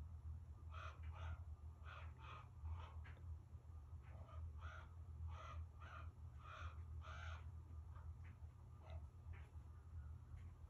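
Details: Common raven in Alaska yelling at the person recording: a long series of harsh, hoarse calls, many grouped in pairs, repeated for about nine seconds over a steady low rumble.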